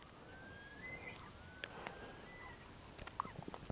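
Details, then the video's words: Himalayan Snowcock calling in Lamoille Canyon, Nevada: a long, thin whistle sliding slowly upward and fading, over steady background hiss with a few soft knocks at the end. "Himalayan Snowcock Calling"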